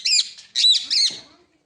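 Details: A pet Alexandrine parakeet indoors, talked to by its owners, gives three harsh, raspy squawks in quick succession, loud and high, over about a second and a half.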